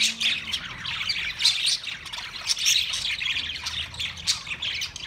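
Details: A flock of budgerigars chattering continuously, with bright overlapping chirps and scratchy squawks in rapid bursts, forming a steady, high-pitched wash of sound throughout.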